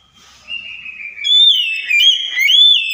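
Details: Oriental magpie-robin lure song meant to provoke silent, stressed birds into answering: a soft faint whistle, then loud, clear slurred whistles that hold steady, dip and rise again, with ringing overtones.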